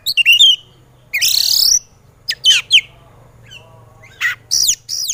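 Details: Agitated white-rumped shama, recording meant to coax silent birds into singing: quick falling whistles, a long harsh buzzy rasp, then scattered sharp chips and short notes with gaps.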